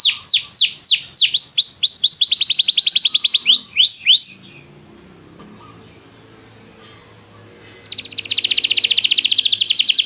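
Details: Canary song played to stimulate a canary to sing, for training: quick repeated swooping whistles running into a buzzy trill, a quiet stretch, then a dense fast trill returns.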